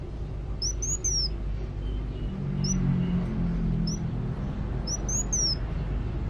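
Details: High, thin, sliding whistles from an actively singing Van Hasselt's sunbird come in sparse phrases every second or so, some as single notes and some as short falling runs, above a loud, steady low rumble.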